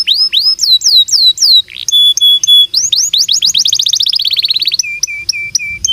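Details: Canary song played to prompt other canaries to sing: loud curved whistles, short flat tonal pips, a rapid rising-falling trill, then a row of short even notes at a lower pitch; clean and very loud.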